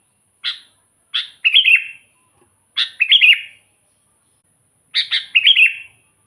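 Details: Sooty-headed bulbul singing energetically, a recording used to lure wild bulbuls: four phrases, each opening with one or two sharp chirps followed by a rolling, bubbly warble that drops slightly, spaced about one to two seconds apart, over a faint thin high whine.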